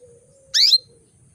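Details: ['One crisp, sharply slurred chirp from a female canary, a call that brings males into breeding condition, over a soft steady tone.']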